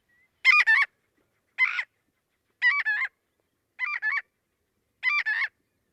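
Marbled Godwit giving five loud, nasal two-syllable calls, 'god-wit', spaced about a second apart, with a clean background.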